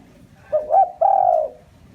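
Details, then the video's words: Single phrase from a spotted dove used as a lure for wild doves: a short coo rising into a second note, then a sustained, slightly falling mellow coo lasting half a second. "tiếng chim cu gáy mồi chuẩn cực hay kích bổi"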